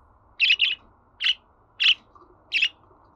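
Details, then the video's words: Rapid run of budgerigar chirps: an opening pair, then three single sharp notes at roughly half-second intervals, with low hum behind. "Muhabbet Kuşu Sesi"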